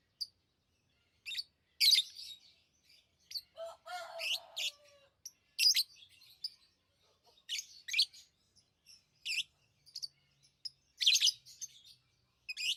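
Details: Pet lovebirds chirping steadily: repeated sharp, high, scratchy notes in irregular bursts, plus one lower, harmonic squawk-like note partway through.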